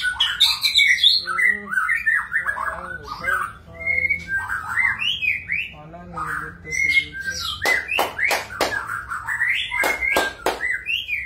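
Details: Magpie-robin in a dense outpouring of song: rapid scratchy warbles and whistled slurs, then sharp repeated clicks among short high whistles, with a low background hum.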